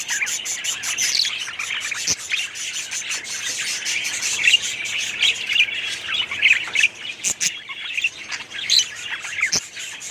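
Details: Budgerigars of a 2017 aviary colony chirping and warbling in bursts, with short whistled notes and a few sharp clicks.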